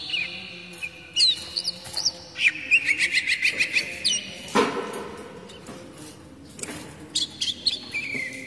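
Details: Kacer daput oriental magpie-robin basic song, used to lure young speckled wild birds and to help moulting birds sing. Whistled slurs lead into a fast rattling series of repeated notes, then a dull knock and a few last whistles.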